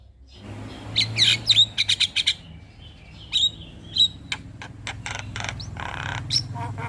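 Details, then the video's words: Male Javan myna lure song for other mynas, with quick bursts of high squeaky notes and clicks, then scattered clicks and harsh rasps over a steady low hum. "Pancingan Segala Jenis Burung Jalak Sekali Putar Ocehan Jalak Kebo Jantan Ini Pasti Langsung Respon"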